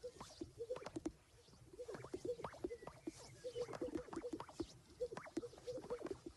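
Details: Many Greater Sage-Grouse males strut and display on a lek on a peak breeding-season day, with hens gathered around: overlapping hollow, bubbling pops and swishes repeat every second or so from many birds at once.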